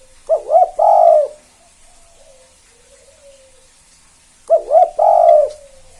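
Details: A spotted dove, a 'KUK 2' style caller used to set off other doves, repeats a phrase twice: two quick hoots and a longer rolling coo. Faint background murmurs fill the pause between phrases.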